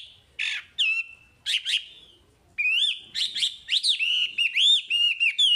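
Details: A Chinese hwamei sings loud, varied whistles, slurred up and down with harmonics, in quick bursts growing into a continuous rich phrase.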